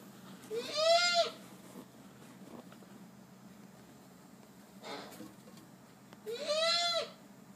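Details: A captive laughing kookaburra, just after bathing, gives two harsh, drawn-out, arching calls about five seconds apart, with a brief rustling burst in between.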